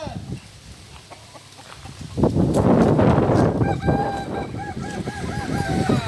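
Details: Kukuak Balenggek chicken at a joint training session in Ampang Kualo, Solok city, starting a series of short, evenly repeated arched crow notes after loud low rumbling and noise.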